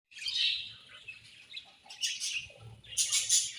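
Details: Budgies chirping while eating: a run of high, scratchy warbling chirps, a quieter stretch, then a brighter burst of rapid tweets near the end.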